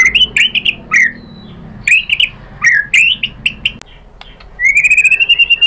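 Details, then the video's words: White-rumped shama song, used as a lure to provoke other shamas into answering: short whistled and slurred phrases near the same pitch, separated by brief pauses, ending in a long rising, rapidly pulsed trill. "PANCINGAN MURAI BATU biar EMOSI NYAUT jadi GACOR BONGKAR ISIAN | SHAMA BIRD"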